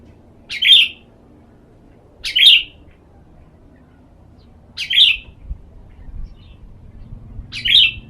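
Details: Sooty-headed bulbul (kutilang) sunning as therapy and serving as a lure bird; four short clear whistled phrases, repeated roughly every two seconds, with a quiet low background.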